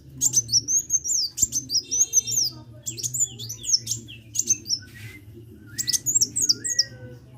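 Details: Sunbird singing energetically, producing fast strings of high, sharp, twittering notes in clustered bursts separated by short gaps, with a low steady hum in the background.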